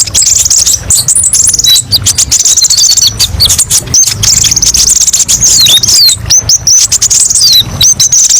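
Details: Olive-backed sunbird (kolibri ninja) in a long varied master song: continuous high chattering trills, downward-sweeping thin whistles and repeated short slurs, steady for over eight seconds.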